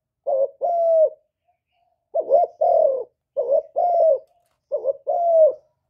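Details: Steady two-note cooing by a captive decoy spotted dove, Cà Mau, Vietnam, meant to lure wild doves: short throaty note, then drawn-out falling coo, four phrases with one longer pause, close and quiet background.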